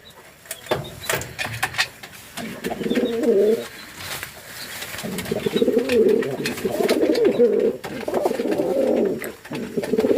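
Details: Fantail pigeons giving deep, burbling coos. After an opening burst of rustling and clatter, the coos run almost continuously in overlapping rolling bouts, over constant background clicks and shuffling.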